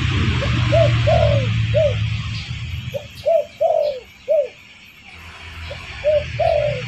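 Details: Lure call of a spotted dove for attracting birds: phrases of short rounded coos, each ending in a longer sliding note, repeated about three times with brief gaps, a low rumbling hum underneath.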